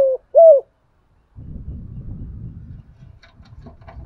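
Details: Spotted dove calling in thổ style to provoke wild doves: two quick hollow coos at the start, followed by silence and then low rumbling background noise with scattered clicks.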